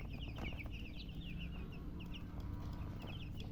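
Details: Several baby chickens peeping together, quick thin chirps that slur downward, repeated rapidly and unevenly over a constant low-pitched background hum.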